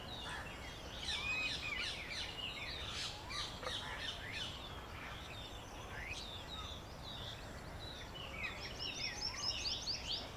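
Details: Breeding pair of Asian pied starlings (Gracupica contra) preening on acacia branches near their nests in Delhi, spring breeding season, giving busy chattering calls with sharp, rising whistles and squeaks, several notes a second, over steady hiss.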